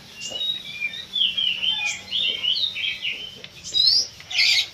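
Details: Kacer (Oriental magpie-robin) pacing song meant to rouse other birds: a continuous run of varied warbling whistles, rising and falling, ending with a sharp upswept note and a rough buzzy burst.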